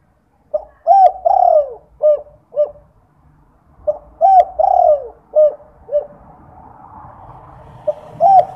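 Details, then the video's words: Spotted dove lure call, 'kuk 2', played at night to make other derkuku call; two clear coo phrases, each a short note, a long downward-sliding coo, then two clipped coos, with soft hiss near the end. "Pancingan Derkuku Kuk 2 malam hari/di jamin langsung yg lain ikut bunyi"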